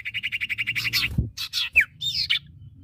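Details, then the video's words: Common iora, male and female, singing energetically: a fast rattling trill of about a dozen buzzy notes, then scattered chirps and a sharp downslurred whistle, with a low background hum. "Suara Burung cipoh/sirtu jantan dan betina gacor!"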